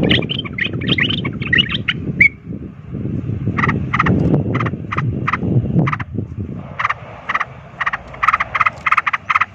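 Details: Ropel-style fighting song of a sooty-headed bulbul meant to rouse rival bulbuls; an opening chattering phrase, then evenly spaced, clipped notes repeated roughly twice a second against steady low-pitched noise.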